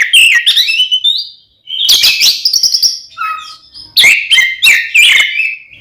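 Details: Kacer, or Oriental magpie-robin, singing its fighting song meant to anger other magpie-robins, with bright whistled phrases, scratchy rapid bursts and one low clear whistled note, broken by brief silences.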